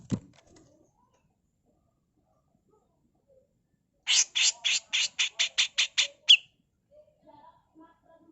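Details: A single thump, a long silence, then a female grey-cheeked bulbul's rapid rasping mbeset series of nine coarse bursts ending in a brief whistled upslur. A tutor recording for cage birds.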